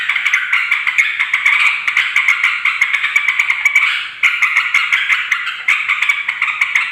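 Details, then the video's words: Noisy yellow-vented bulbul calls aimed at attracting wild females and males: dense rattling chatter with quick clicks, interrupted by short pauses after four and five and a half seconds. "suara trucukan ribut || ngoceh memanggil terucuk liar"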